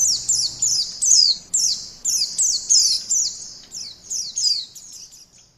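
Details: Lure recording of a white-eye: high-pitched, thin descending twitters repeated about every half second, the phrases fading slightly toward the end.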